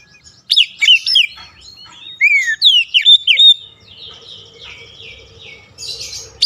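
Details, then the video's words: Oriental magpie-robin stimulating song: an opening flurry of sliding whistles and slurred notes, then softer lower-volume chatter with a faint steady tone, and a final buzzy burst. "KICAUAN PEMIKAT DAN PERANGSANG BUNYI | Kacer stres macet bunyi langsung gacor"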